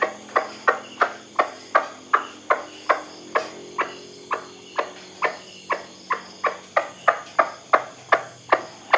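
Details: Repeated calling of a white-breasted waterhen, intended for night playback to lure birds: short, hard, knocking notes roughly two and a half per second, some slightly louder, running steadily over a quiet hiss.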